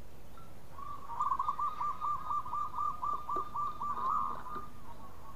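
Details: Local zebra dove singing loudly and often, others joining in; a rapid, even string of short cooing notes at a single pitch, nearly four per second, over faint background hiss.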